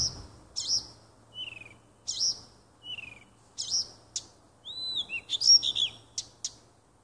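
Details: Woodland nightingale singing on 30 June 2015 near a home: varied bright notes, short buzzy bursts and lower descending whistles, ending in a dense jumble of high whistled and chattering notes, with a steady faint low hum beneath.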